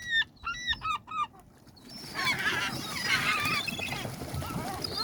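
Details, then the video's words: Gulls by the sea: about four loud, harsh, honking calls in quick succession open the recording, followed by a continuous wash of surf noise with faint, distant bird chatter. "Sounds of Seagulls Seagulls and Sea"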